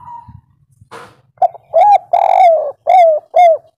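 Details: Spotted dove, local kuk 3 type, played to draw birds into calling: a brief faint note and a noisy burst, then five round, hollow coos in a steady run, each slightly rising then falling.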